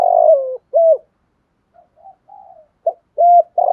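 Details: Stimulating calls of male and female spotted doves for training: loud falling coo and a short coo, softer murmured coos during a quiet gap, then another burst of sharp coos.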